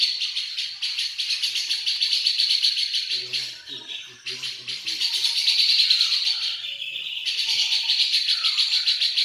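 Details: Local grey-cheeked bulbul singing constantly, its song filled with sparrow-like chatter: dense, rapid rattling pulses, high and buzzy, in long runs with brief breaks, plus faint low murmuring midway.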